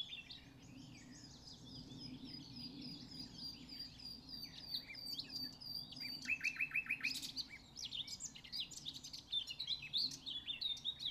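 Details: A nightingale sings at RSPB Pulborough Brooks: rich, varied phrases of high whistles, chirps and a burst of rapid, evenly repeated notes, over a steady low rumble.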